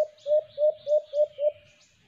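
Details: Five loud, rounded low coos of a white-eared brown dove (alimokon), evenly spaced about every third of a second, recorded during cage-trap bird hunting with faint high chirps behind.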